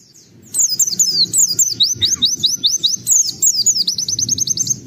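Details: Lure song of an oriental white-eye unloading its filler repertoire: after a quiet start, a steady run of rapid high descending whistled notes, about two per second, ending in a quick trill.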